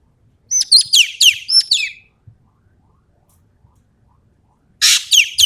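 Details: Common green magpie from Sumatra in full song, a run of six bright, sharply descending whistled notes with raspy overtones, silence for nearly three seconds, then another harsh rasping burst begins.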